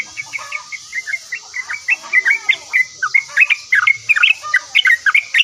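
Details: Yellow-vented bulbul in full lively chatter, said to answer at once: a fast, continuous run of short bubbly chirps and slurred notes, some rising and some falling, over a steady high hiss.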